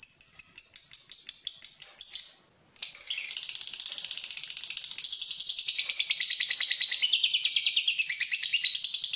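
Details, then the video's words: Lovebird fighter giving ngekek, a lure song for other lovebirds: a rapid high chattering trill pauses briefly, then resumes, growing louder and denser and pulsing steadily to the close. "Lovebird ngetik mompa lanjut Ngekek fighter/pancingan lovebird fighter"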